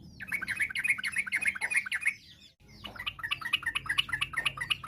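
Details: Yellow-vented bulbul (trucuk) delivering rapid ropel song to draw replies from other bulbuls: rattling, chattering notes at about three per second, a brief break, then more quick jumbled phrases over low background noise.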